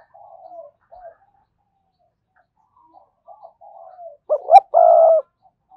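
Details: Spotted dove decoy cooing to rouse wild doves: soft, distant-sounding coos at first, then one loud close phrase of two quick coos and a long buzzy held note.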